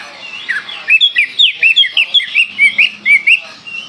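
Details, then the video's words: Oriental magpie-robin of the Kalimantan type singing hard in a full 'tembakan' burst style: a fast run of loud, clear whistled notes, rising and falling, about three per second, with no other sounds. "Kacer Kalimantan gacor full tembakan"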